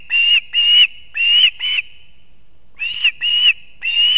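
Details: Ospreys at a Kurzeme nest in Latvia at dawn, 6:40 am on 3 September 2024, as the male arrives with two fish for the chicks, seen on a live camera; loud whistled chirps in two bursts of three or four, separated by a second of quiet.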